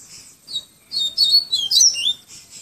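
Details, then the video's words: Tui tui viviti flautado song of a Yellow-bellied seedeater from Pero Vaz, Salvador, Bahia: a brief high note, a pause, then a lively burst of bright, sliding, flute-like chirps lasting over a second. "PAPA CAPIM TUI TUI VIVITI FLAUTADO"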